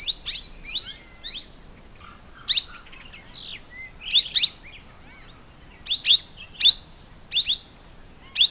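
Plum-headed parakeet giving sharp, high, squeaky notes in short irregular bursts, with a few softer twittering calls between.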